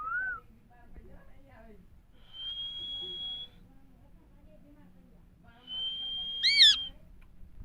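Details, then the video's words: Indian parrots, said to be talking and saying "Mithu Miya Mithu": low, speech-like murmuring broken by two long, steady high whistles, the second ending in a loud, harsh, wavering squawk. "Indian parrots talking Mithu Miya Mithu parrots sounds"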